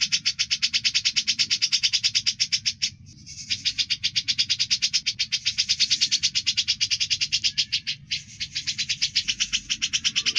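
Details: Grey-cheeked bulbul in ngebren style, a master recording for songbirds: harsh broadband rattling pulses at a fast steady beat, nearly continuous with two short breaks, over a low rumbling background.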